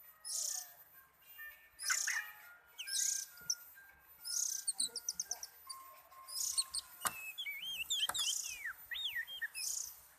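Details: Oriental magpie-robin singing contentedly: a varied run of clear whistled notes and quick slurred phrases, with high buzzy bursts and rapid chattering trills between them.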